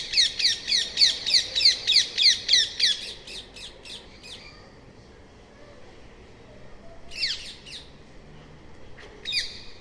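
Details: Loud, metallic screeches from a rose-ringed parakeet, delivered in a fast, even volley of about a dozen notes, then silence broken by two short shrill bursts.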